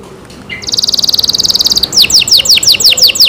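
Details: Kept canary singing: after a short quiet start, a fast, even trill of high bright notes runs steadily, then switches to slower, loud downward-sweeping whistled notes repeated about four times a second.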